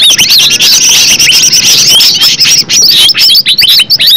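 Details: Original natural green leafbird song used to trigger a reply; a high, crowded rush of whistled slurs and rapid chips, then looping downslurred notes with small gaps near the end.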